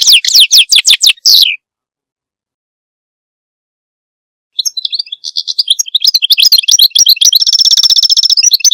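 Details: Goldfinch song: a string of sharp, descending whistled sweeps, then silence, then a lively twittering warble that ends in a sustained buzzy trill.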